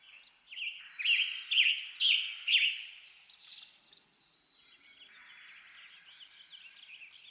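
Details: Western tanager song: five hoarse, burry phrases delivered roughly every half second, followed by quieter twittering in the background.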